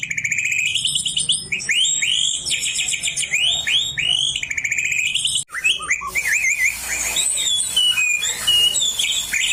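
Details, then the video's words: Caged oriental magpie-robin, raised beside a white-rumped shama, pouring out copied shama song: fast repeated rolling notes and looping whistles in dense bursts, later harsher scratchy high phrases over steady background noise. "Kacer gacor ngeplong isi an murai"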